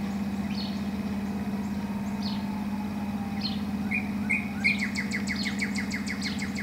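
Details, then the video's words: Northern cardinal in spring 2014: sparse high slurred notes at first, then a rapid string of repeated down-slurred whistles, about seven per second, against a constant low mechanical hum. "Cardinal - spring 2014"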